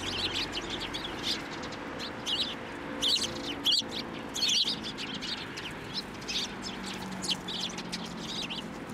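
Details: Sparrows landing on a hand to be fed at a Tenmangu shrine, 9 December 2023; steady chatter of short high chirps, louder clusters around the middle, over a low rumbling background.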